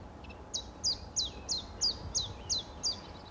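A common chiffchaff repeats high, sharp, down-slurred notes about three times a second, over faint steady background noise and a low hum.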